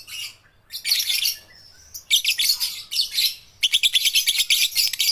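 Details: Baby and balibu lovebirds chattering, meant to stimulate lazy lovebirds to sing: rasping high chirps in bursts, building to a quick even run of sharp notes in the final seconds.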